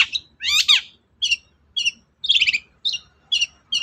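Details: Long-tailed shrike singing as a prompt to get a reluctant shrike singing: a loud buzzy burst, then short harsh notes repeated about every half second, one a longer scratchy chatter.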